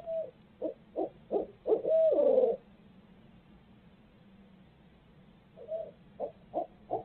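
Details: A barred owl at a nest shared by a parenting pair in Midtown Tulsa, 2020. It gives five quick, low, rhythmic hoots ending in a drawn-out wavering note, then a quieter series of similar hoots.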